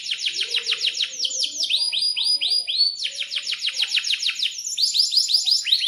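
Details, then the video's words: Canary in breeding condition, singing a long rolling 'cuit cuit' song meant as a lure and tutor for young canaries: rapid series of high falling sweeps, then slower drawn-out downslurred notes, dense and continuous, with faint low chatter beneath. "Pancingan Kenari GACOR panjang untuk Masteran Kenari PAUD & agar Kenari diam agar bunyi & gacor"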